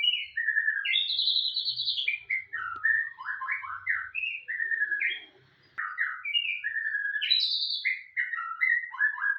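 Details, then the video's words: Continuous rich song of a white-rumped shama, chattering, varied whistles that leap between mid and high pitches in rapid phrases, one short gap midway, little else audible. "Gacor murai"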